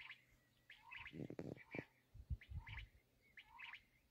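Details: Black francolin (kala teetar) calls: short scratchy phrases with a lower swelling note beneath, repeated a few times. Loud low thumps and knocks break in near the middle.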